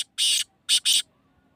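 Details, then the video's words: Black francolin in Hyderabad, Pakistan, gives three harsh, grating notes: one longer rasp, a short pause, then a quick pair of scratchy notes; no other sounds. "kala teeter ke awaz|black Francolin ka awaz"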